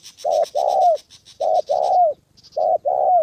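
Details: Spotted dove, a trained decoy bird used in trapping in Gia Lai, Vietnam, meeting a wild male and female on the 2 September holiday, gives three low hoarse coo phrases. Each is a short note and a longer note ending in a downward slur, with faint insect buzz above.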